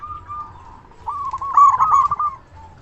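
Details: A loud local zebra dove cooing as a lure to excite other doves into calling: a soft opening note, then a rapid bubbling run of coo notes that swells and fades, over low rumble.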